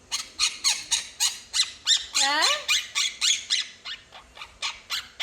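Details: Pet quaker parrot, one of a pair raised from two to three months old, gives steady scratchy chattering notes. Midway comes a longer wavering, warbling phrase before the rapid harsh notes resume. The owner talks around it.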